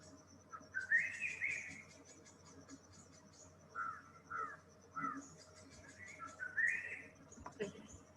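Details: A Greater Racket-tailed Drongo, an important member of mixed-species flocks in tropical forest, mimics a Crested Serpent Eagle. It gives loud, rising whistled notes with shorter clipped phrases, over a faint high insect hum beneath.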